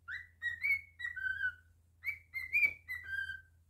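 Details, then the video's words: Captive cockatiel performing a whistled song in a small room, a run of clear tonal notes, some rising and some falling, in two phrases with a short gap between them, over a faint low hum. "Cockatiel singing"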